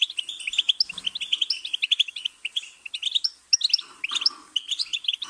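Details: Goldfinch singing a rapid, jingling run of high chirps and trills, with a faint low rustle in places.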